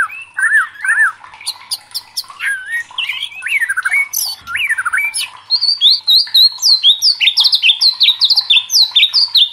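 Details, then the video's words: White-rumped shama (murai batu) in full, agitated song, loudly provoked: a varied run of clear whistled phrases, rising and falling slurs, then a fast series of high upswept notes speeding toward the end. "DIJAMIN MURAI LANGSUNG KOAR-KOAR TERSULUT EM0SI | murai batu gacor | shama bird"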